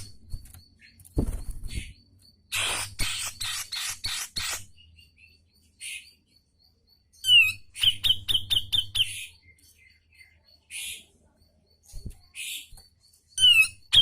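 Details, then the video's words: Grey-cheeked bulbul singing actively, used as training audio for caged birds: sharp, bright high notes in quick bursts of five to eight, spaced by pauses, with brief down-slurred whistles between and soft low rumble behind. "Masteran Cucak Jenggot Gacorr Mbeset Ngepik Tajam"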